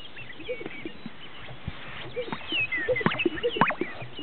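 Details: Greater sage-grouse at a lek in northern Utah, with soft hollow blips and pops from displaying birds, while thin whistled calls of other birds grow busier over the second half.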